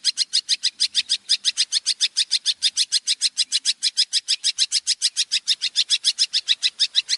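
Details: Long-tailed shrike master song for training contest birds: a long, steady, rapid trill of harsh buzzy notes, about three per second, held at one high pitch throughout with no pauses.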